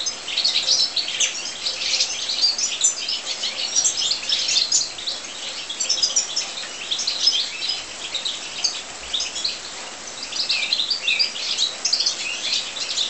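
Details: European goldfinches in an aviary, a long stretch of lively high twittering, bursts of rapid chirps and trills coming in waves with brief slightly quieter gaps.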